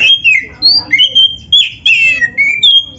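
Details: Actively singing Oriental magpie-robin, song full of imitated phrases, used as a training recording for other birds: clear ringing whistles alternating with rough, buzzy notes in quick succession.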